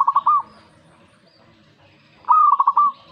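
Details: Zebra dove responding to a master recording: the tail of one stuttering coo phrase, a quiet gap of nearly two seconds, then a full phrase. That phrase is a high sliding opening note and a quick run of rolling notes.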